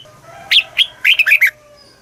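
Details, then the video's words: Caged red-whiskered bulbul from Thailand singing a southern master-style phrase, used to stimulate other caged birds and teach young birds: one brisk burst of about five bright, chirpy whistled notes, the last three quick and tumbling, against a quiet background. "เสียงนกกรงหัวจุก ร้อง ริก เปิดให้นกฟัง ยั่วให้นกคึกจัด chao mao hot, chào mào hót"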